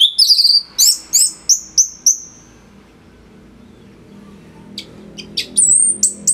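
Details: Orange-headed thrush in song as a tutor for other birds: a string of six sharp high whistled notes about one every third of a second, a pause, then thin very high squeaky whistles.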